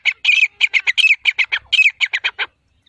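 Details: In the jungle, a grey francolin gives a quick burst of about fifteen harsh, squawking notes over roughly two and a half seconds, then goes silent.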